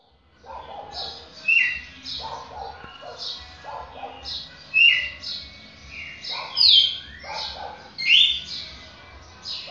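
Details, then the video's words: Red-cowled cardinal described as a champion, giving occasional loud, slurred whistled notes that rise and fall, mixed with softer chattering notes and lower warbled phrases from the background. "Galo de campina campeão"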